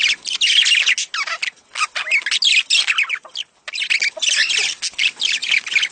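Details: Budgerigar mating calls played to encourage a female to lay eggs: rapid, high warbling chatter full of squeaky rising and falling chirps, almost unbroken, with short gaps.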